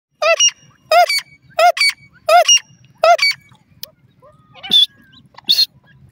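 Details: Female partridge calling: five loud, harmonic, slightly rising notes repeated about every 0.7 seconds, followed by soft clicks and two brief high whistles against a quiet background.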